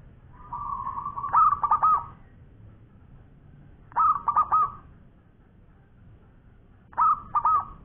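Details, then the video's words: Actively singing local zebra dove giving three mellow cooing phrases about three seconds apart, each a soft held tone breaking into four or five quick stuttered notes, over faint low background hum. "Bunyi Perkutut Lokal Gacor Suara Panjang Juara"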